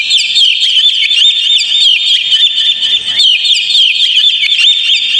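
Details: Dense, shrill Oriental magpie-robin song used as bait for a caged bird, packed with quick slurred whistles and sharp chips that tumble over one another throughout with hardly a pause.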